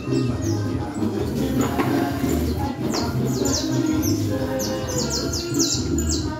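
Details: Caged canario criollo in Manhattan singing cruzeta-style song: after a muffled start, a run of quick, high, downward-sliding notes in clustered bursts, over low humming background noise and voices.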